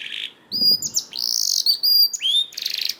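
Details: Canary song meant to get other canaries singing: varied phrases of sustained whistles, buzzy rolled trills and a quick upward sweep, with short pauses between sections.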